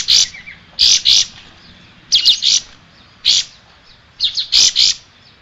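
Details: Singing striated grassbird, used for tutoring caged songbirds, gives loud high harsh bursts, often paired, about one cluster every second with brief gaps between.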